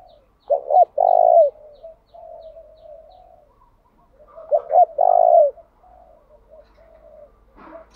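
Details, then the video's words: Spotted dove used as a decoy, cooing non-stop in changing patterns to prompt wild doves to call. Two deep stuttered-then-drawn-out coo phrases with quiet murmuring between them and a brief sharp knock at the end. "Tiếng chim cu gáy thúc bảo đảm bổi nghe gáy liền, chim cu gáy mồi đảo bài liên tục"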